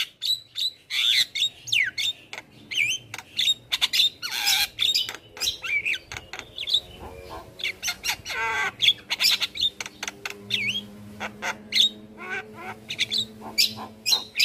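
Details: Javan myna master song for teaching other birds, a dense run of rapid clicks, harsh rasping bursts and short whistled slurs, continuous and loud for the whole stretch.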